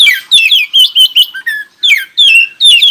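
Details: Oriental magpie-robin singing to draw answering song from other magpie-robins: rapid run of loud whistled phrases, each note sliding downward, about eight bright bursts packed closely with short pauses between.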